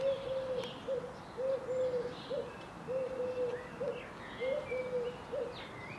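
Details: Eurasian collared dove in a home garden in Ljubljana, Slovenia, on 15 April 2023, gives low, hollow three-note coos in a steady series, with faint higher twittering from other small birds behind.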